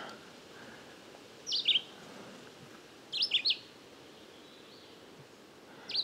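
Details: Red-eyed vireo, unseen and recorded with a parabolic microphone amid some wind, sings short, slurred, high whistled phrases, three in six seconds with pauses of about a second and a half between them, over faint background hiss.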